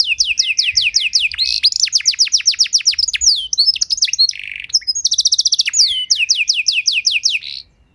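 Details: Master song for teaching young canaries: long run of quick descending whistled notes, about two and a half per second, breaking into a dense high trill, a buzzy note and more falling whistles.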